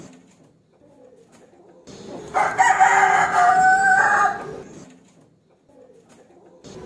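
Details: A rooster calls a rival to fight with one loud, raspy crow of roughly two and a half seconds, set between quiet stretches with faint low background sound.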